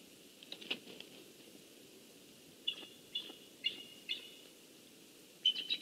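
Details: Eagles from a nesting pair calling while they switch nest duties, morning of 21 November 2015; a series of short, high chittering notes repeated roughly every half second in bursts, over a faint background hiss.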